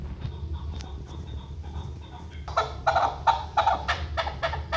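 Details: Chukar partridge in a hunting context, heard after a low steady hum as a short run of five or six harsh, evenly spaced clucking notes in the second half.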